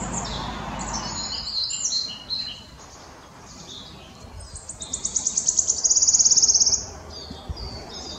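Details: Male Wood Warbler singing at Dove Stone RSPB, Greater Manchester, 11 May 2021; separate high ticks quicken into a fast, ringing trill near the end, after some jumbled high notes from other birds.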